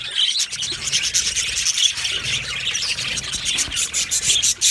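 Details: Budgerigar colony in an aviary, described as happy: dense, continuous high chirping and scratchy warbling from many birds at once, with sharp clicks scattered throughout.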